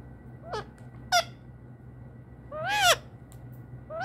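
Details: Pet Indian ringneck parrot talking "mitu": two brief sharp falling syllables, a pause, then a longer loud rasping rising-and-falling note and the start of another, with a steady low hum and quiet room background.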